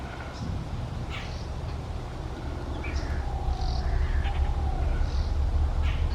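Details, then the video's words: Jungle babblers moving as a noisy social group through a back garden in West Bengal, India: rasping, squeaky chatter in short irregular bursts, with faint thin whistles of other birds and a constant low hum behind. "Jungle Babblers Makes Noise In The Forest"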